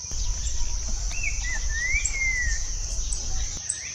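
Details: Wild green-winged saltator singing in nature: clear whistled phrases, first short rising-falling notes, then a longer sweeping whistle that climbs and slowly falls, with a faint later note. A steady high insect drone and low rumble run throughout.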